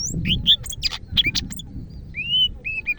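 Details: Greater green leafbird from Medan singing energetically: quick, loud, varied chips and squeaks, then a long smooth rising whistle and several short clear whistled notes.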